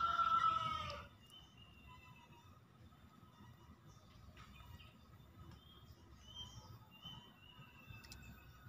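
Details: A male Javan green junglefowl gives one loud, hoarse, harsh crow lasting about a second, followed by quiet forest background with faint distant bird notes.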